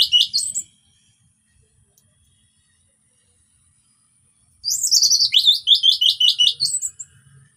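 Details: Orange-headed thrush song used as a lure to make silent thrushes sing: a brief high chirp burst, then after a pause a rapid run of high, sharp whistled and chirping notes lasting over two seconds.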